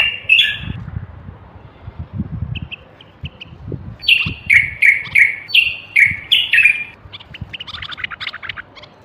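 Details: Whistled song of a common bulbul, the Moroccan bulbul of North Africa: a brief phrase, a few soft notes, then a steady run of loud slurred whistles about three per second, ending in scratchier notes.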